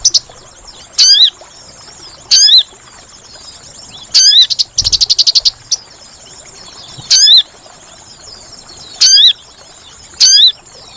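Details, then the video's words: Sunbird (sogon) trapping lure: sharp hooked high whistles spaced one to two seconds apart, with one short burst of rapid chirping midway, over faint hiss. "Suara Pikat Burung Sogon Paling Ampuh"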